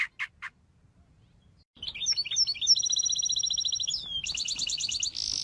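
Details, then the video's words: Three short chirps, a pause, then a fast, bright warbling trill of high ringing notes that runs into a rapid pulsed series. "Canto de pássaros"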